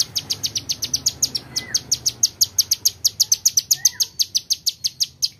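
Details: Young male Bar-winged Prinia singing a varied song used as a training model for other birds: a rapid, even series of very high, sharp ticking notes, about five per second, with a few lower downslurred whistles slipped in.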